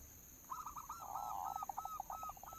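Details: Local zebra dove singing as a lure: a few short coos lead into a rolling purred trill, then a string of crisp, evenly spaced staccato coo notes. A steady faint hum sits underneath.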